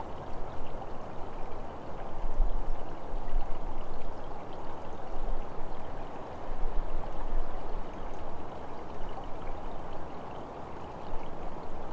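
Steady rushing water, like a stream or pouring runoff, fills the whole stretch with no animal calls.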